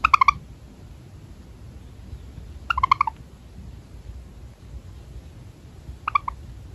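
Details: Java sparrow touched suddenly on its rear, then pausing as if deep in thought; three short bursts of clipped, harmonic chirping notes, each lasting a fraction of a second and spaced a few seconds apart, over a low, quiet background hum.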